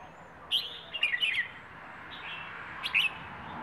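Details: Rayong wild bird in the plai ho song style. It gives a sharp single note, then a quick cluster of descending chirps, then quiet, and another short pair of notes near the end over a soft steady background hiss.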